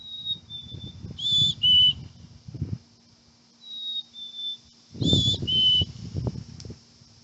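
A chickadee gives clear, pure whistles, a high note dropping to a lower one, repeated twice about four seconds apart, over low rustling and handling noise.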